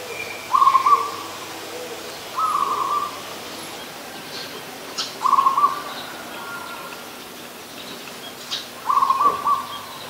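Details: Adult zebra dove calling in Ubon Ratchathani, Thailand, on 24 December 2020. Four short, stammering coo phrases are repeated every two to three seconds. Faint high chirps from other birds are heard.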